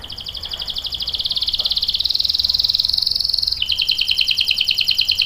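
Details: Canary pouring out a long continuous 'ngerol' roll, used to prompt other canaries and teach young ones: a rapid pulsed trill swelling in volume, then dropping to a lower, slightly slower trill.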